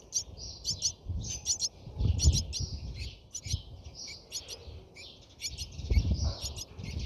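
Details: Inside a Brahminy starling nest: bursts of sharp, high chirping come in short groups separated by brief pauses, with low rustling and bumping underneath.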